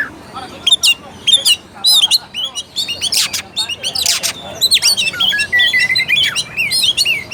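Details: Oriental magpie-robin song for provoking a reluctant, unaggressive bird to sing: repeated sharp harsh notes and clicks, then a rising sequence of clear whistled and warbled phrases.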